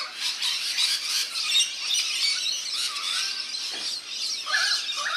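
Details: Rainbow lorikeets splash in a backyard birdbath in NSW, Australia; raspy high squealing fills the air, and a clearer pair of chirped notes stands out near the end.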